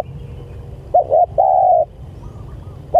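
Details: Spotted dove calling its companions: a stuttered double coo followed by a long flat coo, then quiet with a faint distant higher note and steady low hum.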